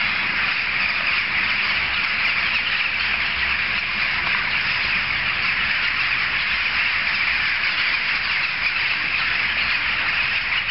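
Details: Jackdaws massed together, loud enough to carry several streets, produce a continuous wall of squawking chatter, countless calls blending into one sustained roar, with a faint low rumble like distant traffic beneath.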